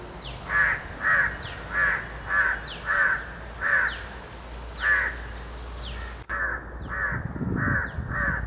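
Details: Grey francolin calling: a series of loud, harsh repeated notes about every half second, each with a sharp falling overtone, a short pause and then more notes, over a steady low rumble of background noise.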